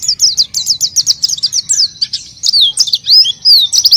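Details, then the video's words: A lively oriental white-eye, singing to lure untrained birds. Quick, evenly spaced high chirps give way to longer sweeping whistled slurs mixed with fast twitters. "PLECI GACOR UNTUK PANCINGAN PLECI BAHAN"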